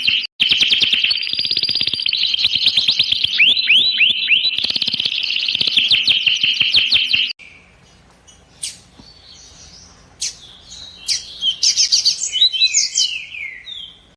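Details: Canary singing a rapid, continuous trilled song of buzzy repeated notes and short rising slurs for about seven seconds. Quieter scattered chirps and high squeaky notes follow.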